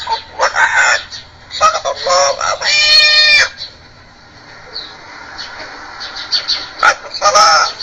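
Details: A parrot speaking Arabic, possibly reciting Quran verses, gives loud, nasal, speech-like phrases in short bursts with one long strained drawn-out note, then falls quiet before a final burst of chatter.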